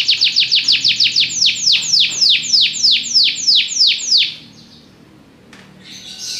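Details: Belgian canary song made of clear downward-sliding whistles, at first quick and then more widely spaced, ending after about four seconds with a short pause and a faint final note.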